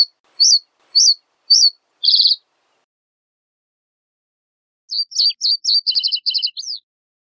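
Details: Reed bunting song: three evenly spaced high chirps, then a quick buzzy trill. After a long pause comes a livelier phrase of twisting, falling notes and short rattles.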